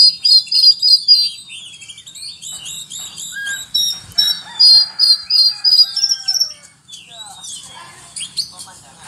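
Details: Oriental magpie-robin singing a song full of cricket mimicry: high ringing whistled phrases and fast buzzy trills, repeated in short bursts about three times a second, with brief pauses and a drop to quieter notes near the end.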